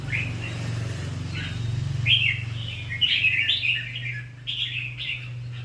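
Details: Red-whiskered bulbul singing short warbled whistles, sparse at first and then a denser run of chirpy phrases, against a steady low mechanical hum throughout.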